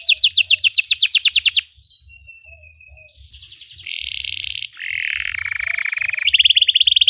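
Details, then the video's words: Belgian canary song for training canaries: a fast series of down-slurred whistles, a thin sustained whistle, then buzzy rattling phrases and a bright rapid trill. "Belgian canary singing makes your canary sing"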